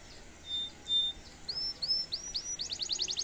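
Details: A domestic canary sings in the rich cengkok mewah style, used as a tutor song: two sustained pure whistles, then a series of rising slurred notes, breaking into a quick, high, pulsing trill.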